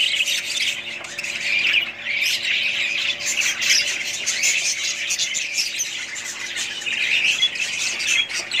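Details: A budgerigar family keeps up a busy, squawky chatter: overlapping high chirps, warbles and harsh notes with no break.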